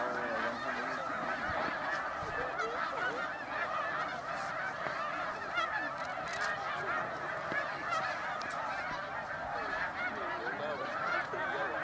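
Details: Snow geese in enormous numbers on the lake surface at sunset in Pennsylvania's Middle Creek Wildlife Management Area, a continuous roar of overlapping high honks with no break.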